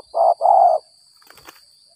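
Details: Spotted dove with the 'gagap 6 mata' calling style, recorded while trapping after rain: a single pair of mellow low coos, a brief note followed by a longer drawn-out one, then quiet with faint rustling.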